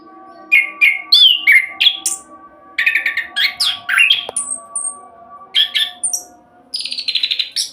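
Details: Orange-headed thrush song in rapid 'roll speed' style, used as a lure to get other birds singing: varied whistled and buzzy phrases, sharp high notes and slurred descending strokes, delivered in fast bursts with brief pauses.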